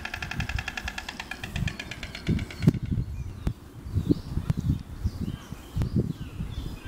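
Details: A white stork, pleased with its new lookout perch, claps its bill in a fast, dry wooden rattle for about two and a half seconds; wind rumble and a few knocks follow.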